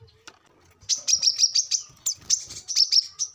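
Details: Brown-throated sunbird, 'gacor ngobra' lure song for captive birds: after a near-silent start, a quick string of piercing high chips follows, rising and falling slightly in loudness, ending on a short thin note.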